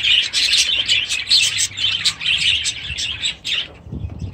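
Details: Several budgerigars with chicks in their aviaries on 23 July 2017 pour out quick, bright warbling chirps in pulsing bursts, fading near the end as a low flutter comes in.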